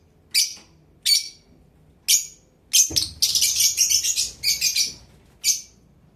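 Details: Pet blue Fischer's lovebirds give sharp, high, shrill chirps, single notes spaced about a second apart, then a burst of rapid overlapping chatter before another lone chirp.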